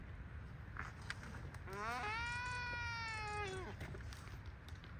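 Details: Waved albatross on Espanola Island, Galapagos, during the elaborate courtship dance: a drawn-out harmonic moaning call lasting about two seconds, rising then held and falling at the end, over steady low wind rumble.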